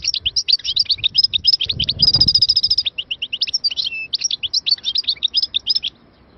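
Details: Algerian European goldfinch, a caged songbird recorded in Moknine, Tunisia, in 2022, delivering a continuous fast stream of tinkling, twittering notes with a short liquid trill near the middle and a faint low background rumble.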